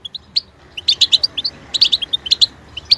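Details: European goldfinch singing tinkling, slightly buzzy twitters, starting sparse then building into quick chirp clusters around the middle and end of three seconds.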